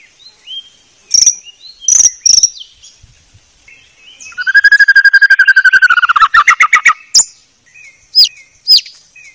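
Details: White-rumped shama with a very clear song: spaced high chips and soft whistles, then a long rapid trill that quickens and drops slightly, followed by a few further chips.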